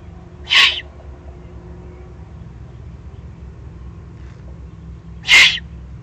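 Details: Two hoarse, hissing begging calls about five seconds apart from excited eagle-owl chicks in the Eifel, Germany, recorded 21 June 2020, with quiet background between them.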